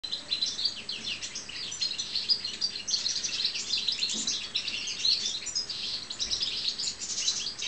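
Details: Caged European goldfinch of the subspecies balcanica, a pet bird, giving a fast, tinkling twitter of high, thin chirps and liquid trills, run together almost without pause, over a low background hiss.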